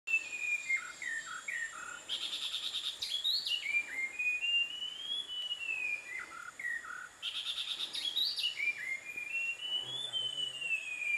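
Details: Visayan shama (Copsychus superciliaris), song.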